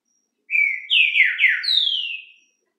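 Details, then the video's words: Green-winged saltator, trinca-ferro of the 'luxo bom dia' song style, singing: a clear whistled phrase of about two seconds, starting with a level note, then loud downward-sliding slurred notes and a long descending whistle at the end. "trinca ferro,Estêvão luxo. cantando bom dia"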